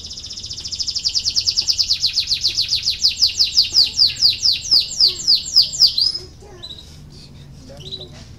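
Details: Domestic canary singing a training song meant to provoke lazy birds into song, a long fast series of high downward-sweeping notes slowing toward the end, followed by quieter scattered chirps.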